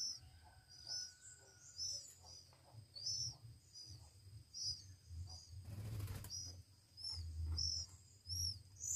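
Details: Hand-fed Oriental magpie-robin nestlings, one week old, make faint, high squeaky peeps at irregular intervals over a low background hum, broken by a short rustling noise midway.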